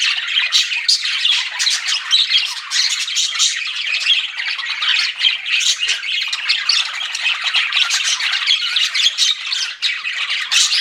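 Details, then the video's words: A steady chorus of flirting pet budgerigars: overlapping chirps, grating chatter and high squeaky notes pour out continuously, with brief louder bursts standing out from the mass. "CUTE PET BUDGIES CHIRPING"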